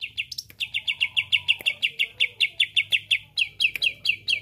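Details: Greater green leafbird; song; provoking other leafbirds into singing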